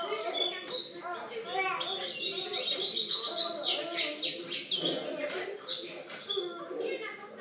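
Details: Song of a European goldfinch recorded in 2013. Busy bursts of high chirps, buzzy trills and sliding notes swell and fade, with a soft low murmur in the background.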